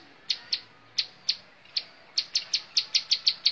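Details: Montal mantul song of a bar-winged prinia: sharp, high ticking notes, first spaced out, then quickening into a rapid run of about eight chips.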